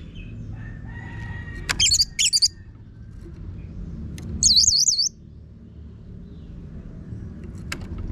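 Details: Orange-headed thrush song used to train birds to sing: two short bursts, the first a cluster of sharp high notes, the second a rapid warbling trill, separated by quiet background hum and a few clicks.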